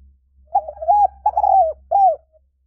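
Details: Spotted dove recorded as a decoy call. A clear, mellow cooing phrase of several slurred notes, the last a separate falling coo, over a faint low hum.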